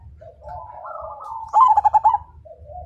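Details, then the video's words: Perkutut (zebra dove), a frequent singer, sings to prompt other birds to join. Soft low wavering notes lead into one loud burst of rapid pulsed coos, then quiet low notes resume. "Perkutut MAJAPAHIT GACOR DAN FIGHTER Suara Bikin Burung Lain Ikut Manggung"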